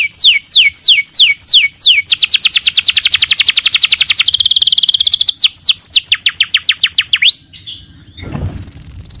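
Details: Canary in full song: repeated descending whistles, then a fast, steady high trill lasting about three seconds, more sweeping notes, a pause and a final high note.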